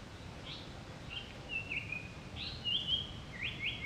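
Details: Japanese paradise flycatcher, recorded 7 May 2012 while flycatching all day, giving thin, high calls: short notes, then a longer slurred whistle and a quick buzzy ending, over soft background hiss.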